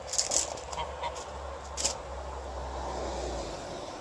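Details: A domestic goose hisses while confronting an Alaskan Malamute, giving a few short, breathy hisses near the start and again just before two seconds, over a low steady hum.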